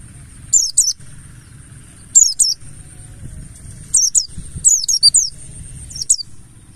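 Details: Mountain white-eye (Buxtoni form) in wild-style 'ngalas' lure song: short, very high, squeaky chirp bursts in scattered groups of two or three, over a steady thin high tone and a low rumble.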